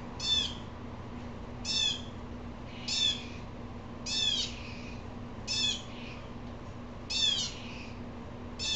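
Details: Six grating, nasal jay calls from an agitated blue jay. The calls repeat roughly every one and a half seconds, some with a brief trailing rasp, over a constant low background hum.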